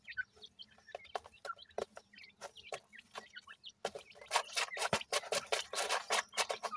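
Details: Grey francolin (Dakhni Teetar) chicks, newly hatched, utter thin, rising cheeps at first, then loud rapid clicks and scratching taps dominate the second half, about one hundred per minute.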